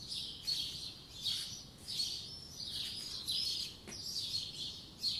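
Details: Spring morning birdsong from 2020: bright high twittering notes in short bursts about once a second, several birds overlapping at moderate distance over faint background noise.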